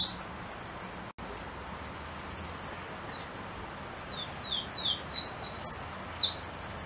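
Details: Pula-pula, the golden-crowned warbler, a constantly hopping bird, delivering after several quiet seconds a brief crescendo of high whistled notes, soft at first then loud, rapid and evenly repeated, closing on a final emphatic note.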